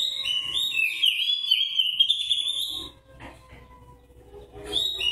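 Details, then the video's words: White-breasted oriental magpie-robin singing in fighting style, known locally as narung gaya ngobra: a loud sweeping whistled phrase with rapid slurred notes for about three seconds, a quieter pause with low noise, then another whistled burst. "Kacer dada putih narung gaya ngobra"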